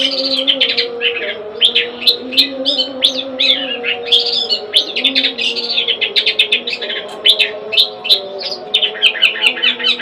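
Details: Household long-tailed shrike, locally cendet, pouring out a varied, jerky medley of chirps, squeaks and scratchy whistles, nearly nonstop, with a low hum in the background.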